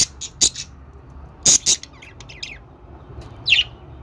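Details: Budgerigar calls: scattered sharp high chirps and clicks, a soft warble in the middle, ending with a rising squeaky note; low hum in the background.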